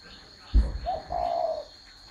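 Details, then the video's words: Spotted dove gives a low, soft coo: a short opening note, then a longer smooth hooting phrase that falls slightly at the end, after a brief thump. A faint steady hum runs underneath. "CHIM CU GÁY"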